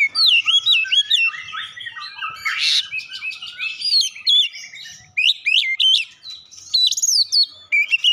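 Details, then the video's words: Energetic oriental magpie-robin song with gelatik batu imitations: dense chattering whistles, a harsh squawk-like burst, then bright repeated rising whistled notes in quick groups. "kicauan Kacer isian gelatik batu"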